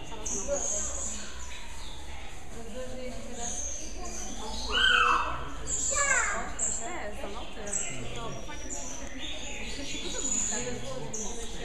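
A Palm cockatoo gives one loud, rising whistled call and then a shorter harsh note. Voices chatter steadily in the background.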